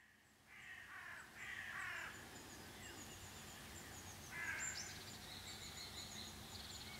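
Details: Common cranes landed just behind a garden fence, recorded around 7 in the morning; three harsh, harmonic-rich calls in short bursts, two close together early, then one more after a pause, over steady background noise with faint high chirps.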